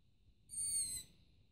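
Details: Begging call of a long-eared owl youngster sitting on a roof at night, waiting to be fed. A single thin, squealing note, sharp and high with a gentle downward slide, over quiet low background noise.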